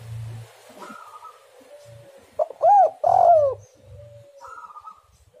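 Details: Spotted dove calling, used as a lure to make other doves sing: soft, low, mellow coos, with two loud hooting notes in the middle and faint background thumps and rustling.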